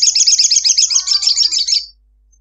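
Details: Female ruby-cheeked sunbird calling to a male, used as a lure: a continuous high, rapid chattering trill of sharp repeated notes lasting about two seconds, then silence.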